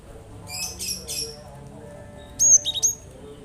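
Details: Played to stir silent birds into singing, a cinereous tit gives a loud phrase of three or four piercing high whistled notes after softer faint chirps, over a low hum.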